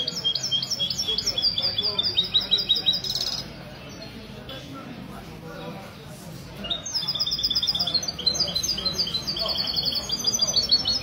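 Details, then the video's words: Caged mesto goldfinch hybrid performing at a Sunday club gathering in a Ksar El Kebir café, 16/02/2020; bursts of rapid high chirps and trills, a silent middle stretch, then long trilled runs, with low crowd chatter. "تغريد الميستو"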